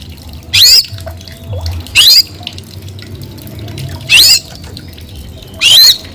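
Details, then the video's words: Oriental magpie-robin giving loud, sharp upward-swept whistles, four of them spaced about one to two seconds apart over a faint background. "coba mp3 kacer gacor ini"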